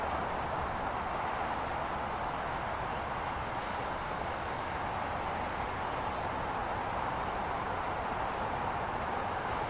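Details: Constant broadband hiss like wind rushing past an outdoor microphone, with no animal voices standing out.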